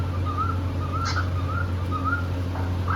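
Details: Happy pet cockatiel pair singing and playing: short wavering whistled phrases, each under half a second, repeated about every half second, with one brief higher note midway, over a steady low hum.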